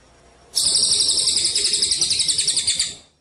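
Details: Javan munia on a training recording for songbird contests: a sudden high buzzy trill with regular throbbing pulses, lasting about two and a half seconds, then fading out.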